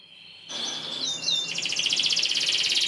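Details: Canary song used as a tutor for young birds: a faint start, then loud curling whistled notes, followed by a long fast pulsing high trill.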